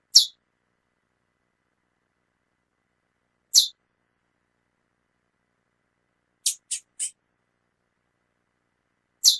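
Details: Female chestnut-bellied seed finch calling repeatedly: strong high chips a few seconds apart, interrupted once by a quick run of three thinner, higher notes.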